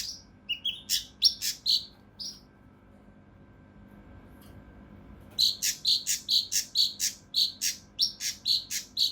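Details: Rough, dense song of a mountain leaf warbler used to train contest birds: clusters of quick, high, chipping notes, a pause of about three seconds, then a rapid series of sharp notes.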